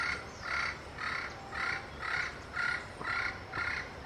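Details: Yellow-fronted parrot communicating with its peers: a steady series of harsh, two-toned squawks repeated about twice a second, eight in four seconds, over a low background hum.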